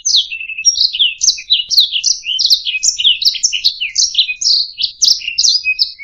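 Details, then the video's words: Canary song meant as a tutor for other chirping birds: a rapid, unbroken torrent of high, sweeping chirps and twittering phrases, each note sliding down in pitch, with a few short pure whistles and a clean background. "Ocehan Burung Kenari"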